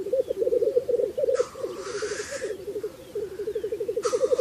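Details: Black grouse producing a continuous low, rapid bubbling coo, pulses running together without pause, broken twice by a loud harsh hissing sneeze lasting about a second.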